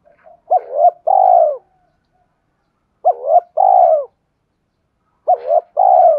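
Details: Spotted dove cooing to train decoy birds: three identical two-part coos spaced about two seconds apart, each made of a quick rising note and a longer, falling, hollow tone.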